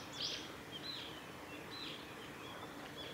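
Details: A brown-eared bulbul among cherry blossoms in a nature observation garden on 10 March 2019 gives thin, high squeaky calls, about five notes in three seconds, some sliding downward, over a soft outdoor hiss.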